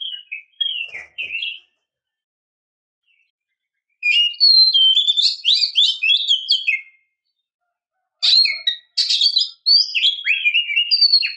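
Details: Female Oriental magpie-robin calling to draw out males: three bursts of quick, high chirps and slurred whistled notes separated by silent gaps, the later bursts dense and rapid, in a quiet setting with no other sounds.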